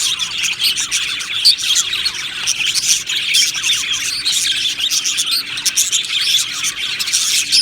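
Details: Happy budgerigars in an aviary colony, a dense continuous chorus of high chirps, twitters and short warbled notes from many birds at once, with no pauses.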